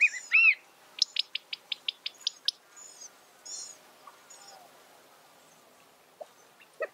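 California quail giving a few looping, slurred high notes, then a quick run of about eight sharp ticks in under two seconds, followed by softer, scattered chirps.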